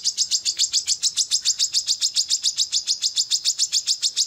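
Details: Female brown-throated sunbird, locally kolibri kelapa, calling actively: a steady, evenly spaced series of sharp high chips, about three or four per second, sustained without a break on a quiet background.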